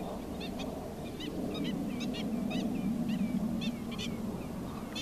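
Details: Adult black-winged stilt (Himantopus himantopus) with chicks gives sharp, yapping kek notes, about three a second and uneven in pace, over a steady low rumble of wind.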